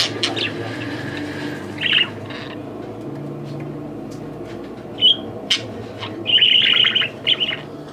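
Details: A lonely pet budgerigar talking to itself in a mirror gives happy sounds: short bright chirps and a burst of scratchy, warbling chatter, with music in the background.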